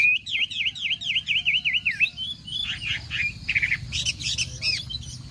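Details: Chinese hwamei singing in a morning contest session, opening with a fast run of repeated down-up whistled notes, then breaking into varied, buzzy phrases and sharp high chirps over a low background hum.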